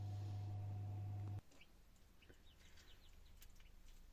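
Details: Japanese quail chicks peeping inside their eggs in an incubator after the first pips, on day 16–17 of incubation, among 200 eggs set. A steady fan hum cuts off abruptly, then faint, short, high peeps are scattered irregularly.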